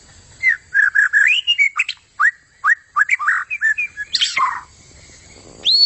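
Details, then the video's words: White-rumped shama song of mellow rising and falling whistles strung in quick phrases, ending with a loud harsh downward note and a final upward slur. "Inilah aksi gacor super maut dari murai buntut panjang"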